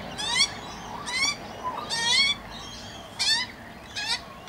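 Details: Young magpie recently out of the nest being fed by an adult in a backyard: harsh, rasping nasal begging calls in short bursts of about half a second, with softer notes between.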